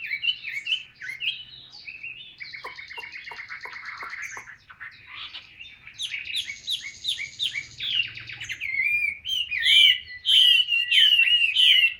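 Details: Caged Chinese hwamei in full song, a long varied run of rapid chattering trills and buzzy repeated notes giving way to loud ringing whistled phrases near the end.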